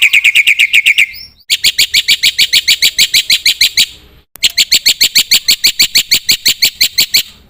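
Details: Black-winged myna in lively filler-rich song: a lower buzzy trill, then long even runs of bright high chirps, about three a second, with two short breaks.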